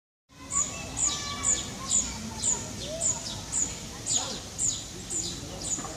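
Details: Birds singing in Parque de la Florida, Vitoria-Gasteiz: a high, sharp chirp repeated about twice a second in a steady series, over a low murmur of background noise.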